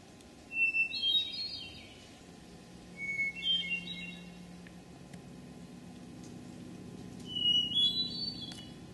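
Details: Hermit Thrush sings in Memorial Forest, Sudbury, Massachusetts, on 19 June 2011: three ethereal phrases a few seconds apart, each opening on a long pure note before a flutelike, tumbling flourish at a changing pitch; a faint low hum underneath.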